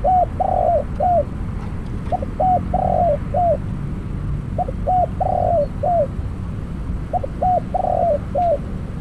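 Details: Trapping decoy spotted dove repeating its phrase three times, roughly every three seconds: two quick low coos, a trilled croon, then a last soft note, clear above faint background.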